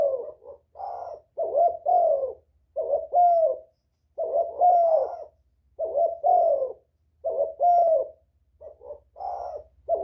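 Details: Luring call of a spotted dove: a steady run of hoarse, low coo pairs and triplets, repeated with brief pauses through the whole stretch, a faint low hum behind.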